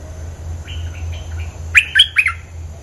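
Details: Soft, distant-sounding chirps from a bulbul give way to a loud cluster of three or four sharp, ringing notes, from a recording meant to lure birds; low steady hum underneath.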